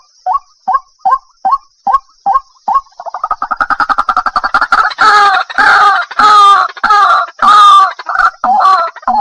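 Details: A white-breasted waterhen gives evenly spaced short croaks that speed into a fast rattling series, then swell into loud, harsh, nasal braying phrases.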